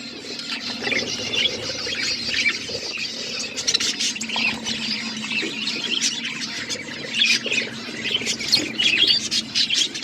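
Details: Budgerigars eating seeds, chattering continuously in a dense flock chorus of quick high chirps and warbles, with soft low rustling and pecking noises underneath.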